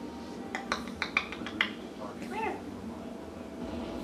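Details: Pet African grey parrot talking and making noise indoors in a small room: a run of short clicks and sharp notes, then a wavering, speech-like rising and falling vocal phrase.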